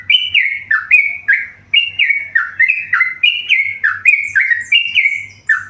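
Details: Lively song of a tame yellow-vented bulbul: clear, warbled notes in bouncing pairs that slide downward, repeated with a rolling rhythm over a faint background hum.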